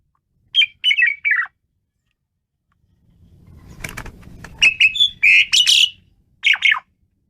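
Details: Asian pied starling in lively song: a short run of chattering whistles, then a rustling, flapping-like noise, followed by a denser series of bright whistled and harsh notes and a final pair of chirps.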